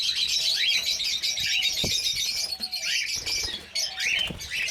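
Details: A breeding colony of cockatiels fills the air with overlapping shrill chirps and rising whistled calls.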